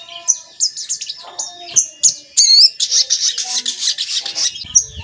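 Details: Recording of a crimson sunbird (sogon) used to make sogon call and grow excited. Thin high chirps and rising squeaky notes lead into a long, dense, buzzy twittering stretch.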